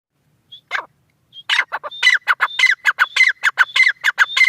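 A francolin gives a harsh, grating run of rapid clucking notes, about five a second and rising in intensity, after a few thin whistles at the start.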